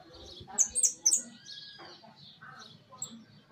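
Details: Caged hooded siskin in a large aviary: three sharp, high, ringing notes in quick succession, followed by softer twittering and a faint drawn-out whistle from the surrounding birds.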